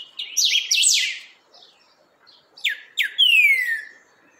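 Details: A creamy-bellied thrush firms up its song with a loud cluster of tumbling high notes. After a short gap, two quick downward strokes lead into a long clear whistle gliding smoothly downward.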